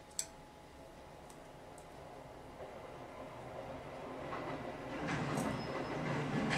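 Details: A rumbling rail or vehicle noise with a faint steady tone that grows louder toward the end, with a few sharp clicks and no animal voices.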